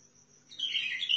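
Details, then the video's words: Short bulbul phrase from a Sihani bird of Basra, Al-Faw: after half a second of quiet, a bright warbling burst that climbs at the end, with a thin constant high whine behind it. "طيارات بلبل سيحاني بلابل الفاو بلبل البصره"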